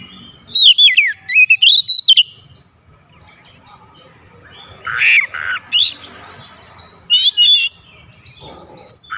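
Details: Oriental magpie-robin lure song meant to prompt other birds into song: sweeping, looping whistles at the start, harsh rasping bursts midway, then short bright whistled phrases separated by pauses.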